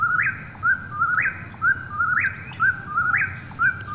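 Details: At night an Eastern whip-poor-will gives four repeated whistled phrases, each starting low and sweeping sharply upward at the end, spaced about a second apart over a quiet low background hum.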